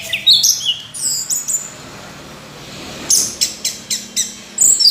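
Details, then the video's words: Orange-headed thrush singing in two bursts of sharp, high, quickly repeated chips and squeaky slurs, separated by a quiet pause of about a second and a half. "Anis Merah Kicau Sampai Teler"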